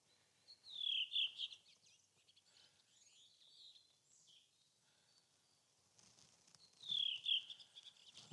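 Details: A Redwing, hidden out of sight, sings on a spring migration morning in a Norwegian forest: two short phrases of bright, descending fluty notes about six seconds apart, each ending in a brief twitter, with other birds calling faintly between.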